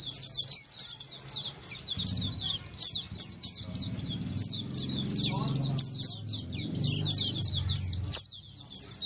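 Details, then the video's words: Clear ombyokan singing from many Oriental white-eyes, used as therapy so a silent white-eye answers and sings often. Thick, unbroken high twittering with quick overlapping notes, over a low murmuring background. "Terapi Pleci Ombyokan, Dengar Suara Pleci Ombyokan ini pasti nyaut burung pleci anda"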